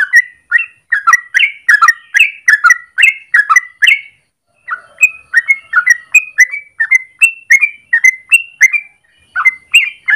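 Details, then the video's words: Yellow-vented bulbul singing a long morning song for luring or as a training master: rapid liquid notes delivered in a tight string, a brief silence around four seconds, then more fluty rising and falling notes. "Trucukan gacor ropel panjang pagi hari"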